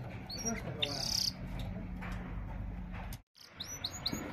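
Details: A caged white-and-black cross-colour canary sings high, bright whistles and a buzzy trill at an open canary, then quick sweeping notes after a brief gap, over a steady low hum and faint voices.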